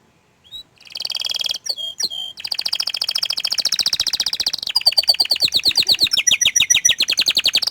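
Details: Orange frost canary showing off its song: a short high whistle, then long rapid trills and rolls of buzzy repeated notes high in pitch, changing tempo and switching to slower, bouncing chirps near the end.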